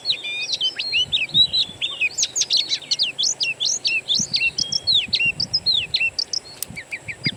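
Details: Oriental magpie-robin song as a lure to set a kept bird singing, from a wild-bird master recording: a long, unbroken run of quick chirps and curved whistles, evenly paced with brief gaps near the end.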